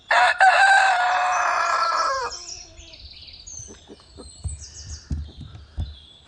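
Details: Rooster crowing in the morning: one loud, harsh, drawn-out crow lasting about two seconds, then quieter scattered clucks and low knocks.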